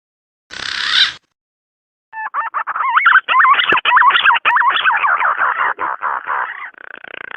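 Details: Male green pigeon calling to a female, used as a lure call: after a short noisy burst and a pause, a fast run of wavering, looping whistled notes, warbling up and down for about five seconds before fading.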